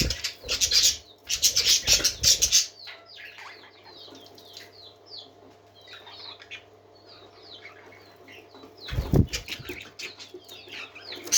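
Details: Happy parakeets: opening bursts of loud wing flapping, then a long stretch of soft twittering warbles from several birds, another flutter near the end.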